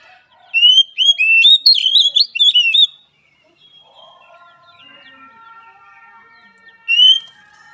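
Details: Oriental magpie-robin, recorded as training therapy for a weak-spirited bird, sings a rapid burst of about a dozen sharp, varied whistled notes, then falls quiet over faint steady tones before one last clear whistle.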